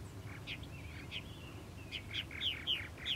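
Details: Purple martins at a nesting colony: a run of short chirps and gurgled notes, several rising sharply, coming faster toward the end over low background rumble.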